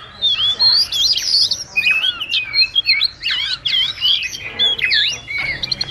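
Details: Flock call of a wagtail, used as a lure for trapping: a busy, warbling run of sharp chirps and wavering high whistles, loud and continuous with short breaks.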